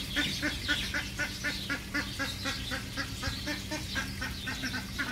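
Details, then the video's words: Egyptian geese giving a rapid series of short, harsh, nasal honks, about four per second and fairly evenly spaced, over a steady low hum. "الأوز الفرعوني - Egyptian geese"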